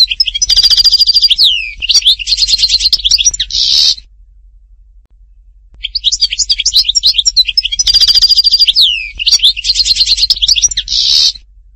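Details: Goldfinch in Htatba-style song, Tipaza, Algeria: two near-identical phrases of quick twitters, steady buzzy trills, a falling slur and a harsh rattle, separated by about two seconds of silence.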